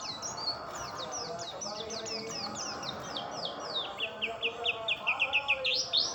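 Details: Oriental white-eye singing a fast run of high descending chirps, then a brighter, louder series of sharp whistled notes repeated more than twice a second toward the end, over a steady background hiss.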